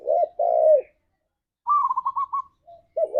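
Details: Spotted dove song played as a lure to get pet doves singing: two deep coos, a quick higher rolling trill of notes, a short whistle, then another coo.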